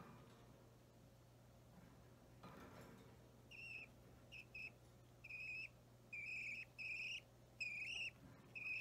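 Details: Three-week-old Budgerigar chick, green or Opaline, being hand-fed indoors, recorded 30 March 2017; soft, more tonal peeping begging notes start after a thump and grow steadier, about once a second, under steady room hum.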